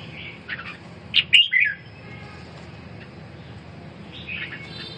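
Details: Red-whiskered bulbul recovering from respiratory illness sings one loud phrase of three quick whistled notes, preceded and followed by faint softer warbles, against a quiet humming background.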